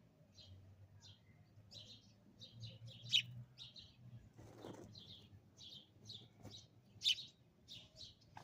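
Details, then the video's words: A sparrow, close up just outside a window, gives a run of short chirps, bright and clipped, two or three each second, over a low steady hum. "Bird Singing outside window upclose"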